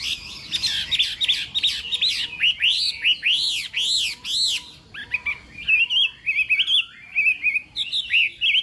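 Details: Contest singing from a Chinese hwamei during morning voice training: a series of arched, rising-falling whistled notes repeated several times, followed by quicker twisting warbled phrases.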